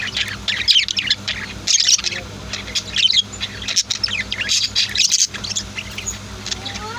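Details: Pet budgies and lovebirds in a home setting twitter in repeated bursts of high, sweet chirps and brief squawks, a few soft rising whistles near the end, low hum in the background.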